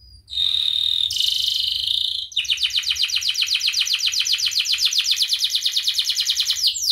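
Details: Canary song meant to teach other birds: a steady whistled tone with a harsh buzzy overlay, then a long, even trill of rapid repeated notes.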